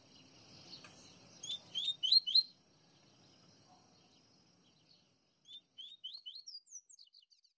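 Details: Double-collared seedeater of the Coleiro Baiano style from Pernambuco, Brazil: short bursts of high, sharp chirped notes, a quick cluster of four, then a pause and a second series of about eight thin rising and falling notes, with quiet background hum.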